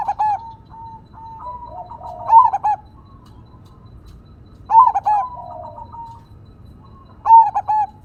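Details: A crossbred perkutut, or zebra dove, sings loudly in the engkel single-vocal style against a nature-sounds background. Three rolling coo phrases, each opening with a sharp accented note and sliding into a softer, lower tail, spaced roughly every two and a half seconds.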